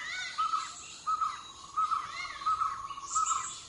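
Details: Malabar grey hornbill, endemic to the Western Ghats' dense forest and plantations in southern India, gives five short, harsh, nasal notes at an even pace, about one every 0.7 seconds; a faint high chirp near the end.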